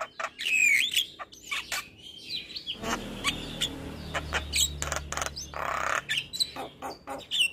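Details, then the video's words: Male Javan myna in morning song, full varied: a bright trilled whistle, then scattered clicks, squeaks and a harsh hissing burst over low rumbling background noise. "Masteran Jalak Kebo Pagi Hari Jalak Kebo Jantan Gacor Full isian"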